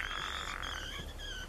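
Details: Female Blue Jay gives a rattle call, a dry, rapid run of fast clicks with a ringing edge lasting about a second and a half. Only females make it, often while bobbing, as an alert when another jay intrudes on a pair's space.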